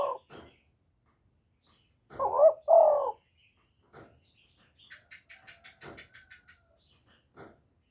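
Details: Spotted dove giving one loud low double coo, followed by faint clicks and a brief burst of higher, rapid chirping notes from another bird.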